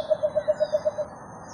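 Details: Two Philippine coucals meeting up, January 21, 2021; a run of eight deep, even hoots spaced about an eighth of a second apart, then fading, over a steady high background hiss.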